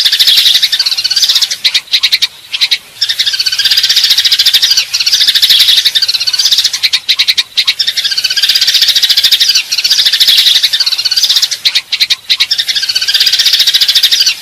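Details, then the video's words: Eurasian tree sparrow fighting call used to lure birds: loud, sustained, high chattering in repeated bursts with short gaps between them, dense overlapping chirps throughout. "suara pikat burung gereja tarung"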